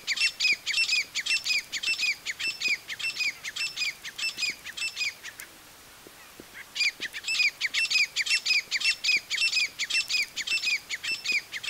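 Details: A female Grey Francolin gives harsh, ringing repeated notes in quick rhythmic bursts, pausing briefly midway before resuming the same loud, grating series.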